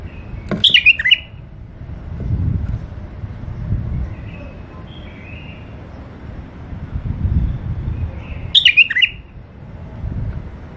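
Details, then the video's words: ['Short fluty bulbul phrases from a tame caged male-and-female pair come twice, near the start and near the end. Low rumbling traffic and wind noise fill the gaps.'] "بلابل اليفات قفص تغريد حلو"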